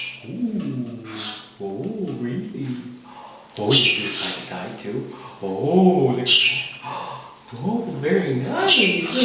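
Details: A 14-year-old female rescue green-winged macaw, excited and dancing during other parrots' flight training, says "hi" in short, voice-like bursts about every two seconds, mixed with a person's encouraging chatter.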